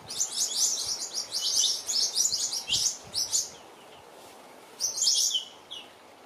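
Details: Several New Holland honeyeaters disturbing a resting female Western Grey kangaroo and joey; busy high chirping chatter for three seconds, a pause, then another short burst of sharp notes.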